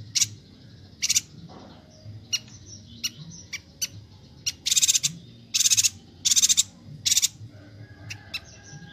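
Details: Bornean yuhina, recorded as tutor song for training caged songbirds: scattered short high clicks and ticks that build into several louder buzzy, trilled bursts toward the end, with irregular spacing.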